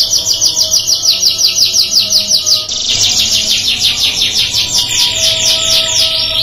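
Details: Caged canaries singing, another canary answering within two seconds: rapid trills of repeated notes around high pitch, a fast rolling series, then a second bird joins with denser buzzy rolls, with a faint low hum beneath.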